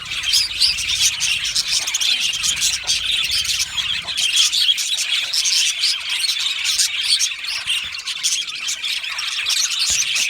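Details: Australian budgie colony in an aviary, nonstop layered high chirps and chattering warbles, steady in loudness throughout.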